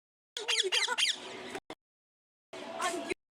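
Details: Parrot calling: a quick run of three harsh, buzzy screeches with falling, chevron-shaped notes, then a short squawk and, after a pause, a noisy rasping call.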